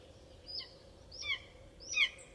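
A bird of prey gives three short, high, thin squealing calls about 0.7 seconds apart, each sliding downward, over a faint steady hum.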